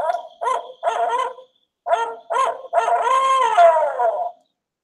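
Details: Barred Owl, a night-active bird, gives its hoot of two phrases of two short notes and a long one, the second ending in a drawn-out, falling 'who cooks for you-all'.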